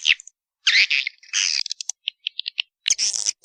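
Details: Swiftlet lure call in the Walet Naga style, meant to draw in swiftlets: harsh, buzzy, high twitters broken by silences, with short clicking chirps between the louder bursts.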